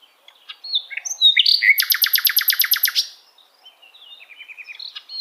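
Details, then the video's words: Energetic common nightingale song: scattered whistles, then a loud rapid trill of about fourteen identical harsh notes over a second and a half, followed by softer twittering phrases. "Common Nightingale,sikatan londo relaxing"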